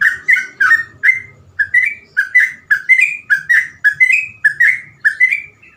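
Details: Sooty-headed bulbul in fluent 'gacor ropel' song with phrases easy to copy: an even series of bright whistled notes repeated steadily, some rising at the end, with little background sound.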